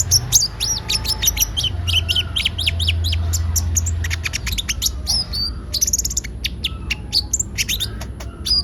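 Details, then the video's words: Kolibri ninja (konin) in full song: a fast run of high twittering notes at first, then sharp clicks and thin high whistles, with a low rumbling hum in the background. "Pancingan suara burung konin gacor"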